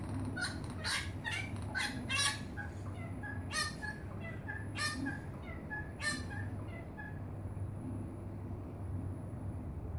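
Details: A wattlebird in Melbourne gives harsh, raucous cackling phrases in irregular bursts, with a steady low hum in the background.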